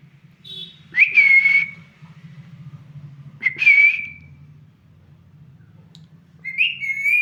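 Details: Pet parrot giving three separate high whistles, each a brief bright onset easing into a level, sustained tone about every three seconds, over a soft low background hum.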